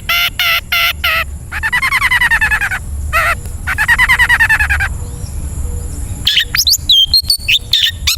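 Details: Long-tailed shrike song, played to train caged birds to sing: loud stacked harmonic notes repeated in bursts, two long runs of rapid buzzy chattering, then a jumble of varied high whistles and chips.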